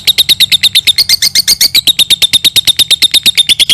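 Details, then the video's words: Lovebird giving a long ngekek trill, a song style used for training other birds: a fast, even series of loud, high, sharp chirps, about eight per second, running steadily throughout without pause. "LOVEBIRD NGEKEK - LOVE BIRD NGEKEK PANJANG COCOK BUAT MASTERAN"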